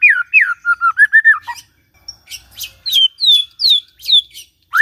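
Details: White-rumped shama in morning song used to trigger a quiet shama: clear falling whistles and warbled notes, then a series of high descending whistles repeated roughly every half second.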